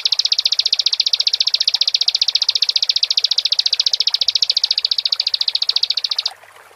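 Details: Bar-winged prinia singing vigorously, a recording used to stir other prinias into excited singing: a fast, even string of high, buzzy ticking notes, almost four per second, running without a break for about six seconds before stopping abruptly.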